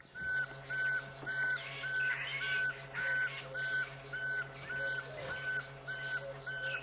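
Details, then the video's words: Pearl-spotted owlet whistling during a sunset safari drive in the African bush on 8 November 2016: a long, even series of clear whistled notes, about two per second, with faint insect buzzing and a low hum. "Now, that is the little pearl-spotted owl that you could hear whistling there."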